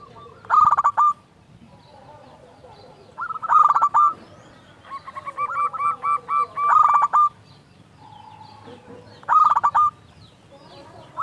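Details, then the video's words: Loud local zebra dove in full song, used as a lure to prompt other doves to sing. Four stuttered cooing bursts recur every three seconds or so, with a softer series of evenly spaced, higher arched notes between them. "Perkutut lokal gacor SUARA BESAR pancingan burung perkutut agar bunyi"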